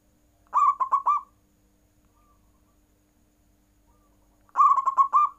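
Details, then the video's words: Zebra dove cooing in the full "nggayer" style, said to prompt rival birds to call. Two loud rolling phrases of three or four stuttering, mellow coos, about four seconds apart, with near silence between. "Perkutut nggayer full membuat lawan ikut bunyi"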